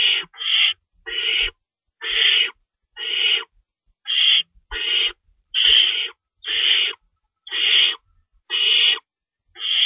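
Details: Night feeding at an owl nest, 3:53 AM, 25 March 2012, with an adult tearing up stored rabbit. A long run of about a dozen harsh hissing screeches, closely spaced, some overlapping in quick pairs, with faint rustles beneath.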